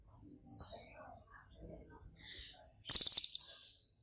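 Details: Excited brown-throated sunbird: faint scattered chirps and twitters, then one sharp, very high rapid buzzing trill of about half a second, part of a song with mimicked golden grasshopper song.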